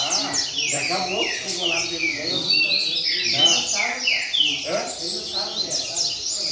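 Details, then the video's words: Double-collared seedeater singing the rain-song style: ringing, high whistles that drop steeply in pitch, repeated in lively clusters throughout, while a man's voice continues quietly underneath. "Coleiro Mack Na Roda Cantando Centrado Canto Chuva!!!"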